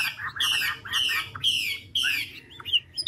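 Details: An old, large wild-caught Chinese hwamei (Garrulax canorus) sings four loud, rich, buzzy phrases about half a second apart, each sliding downward, then a few softer high notes, changing its song continuously, over a faint low hum.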